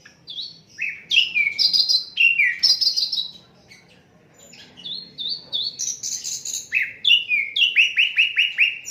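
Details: Asian brown flycatcher in an unedited tutor recording for songbirds, delivering lively runs of sharp high chirps and downward-sweeping whistles, a brief quiet pause, then more varied phrases ending in a rapid series of repeated slurred notes.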